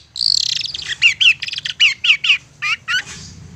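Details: A stubborn long-tailed shrike sings to draw a response from rivals: a rasping buzz opens, followed by about a dozen sharp, bent notes repeated quickly and fairly evenly.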